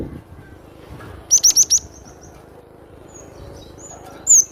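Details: Cinereous tit uttering four rapid sharp high chips in a row, then a pause and a single high slurred whistle at the end, over quiet low background noise.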